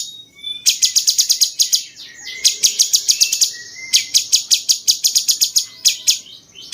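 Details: Bulbul known locally as cucak cungkok, 'rasa jenggot' style, used to tutor champion songbirds; rapid high ticking chips delivered in dense rolling series with brief breaks between them.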